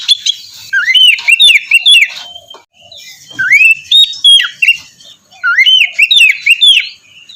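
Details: White-rumped shama morning song used to prompt a lazy bird to sing: three bursts of rich, swooping whistles, each phrase a run of rising and falling notes mixed with sharp chips, with short quiet gaps.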